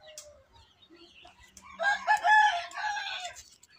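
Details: Red junglefowl kept as a decoy bird, crowing: a quiet lead-in, then a loud, hoarse, harmonic-rich crow of about one and a half seconds that breaks and fades at the end.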